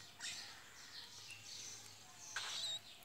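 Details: Two pet cockatiels exchanging high chirps and a brief whistled note, faint and scattered through the clip.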